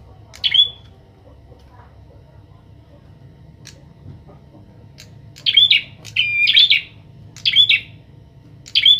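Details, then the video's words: Young bar-winged prinia in training, kept alongside an experienced captive prinia, giving short buzzy chirp bursts, one early, then a cluster of repeated bursts roughly every second near the end, with quiet gaps and low hum between. "prenjak atas gacor"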